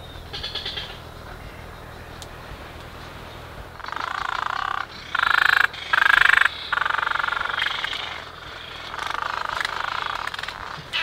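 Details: Black noddy (white-capped noddy) on Heron Island, Great Barrier Reef, Queensland, Australia, 29 July 2019 at 16:50, filmed with a Lumix GH5 camera; harsh, rattling croaks in short bursts mid-clip and near the end, a fainter call at the start.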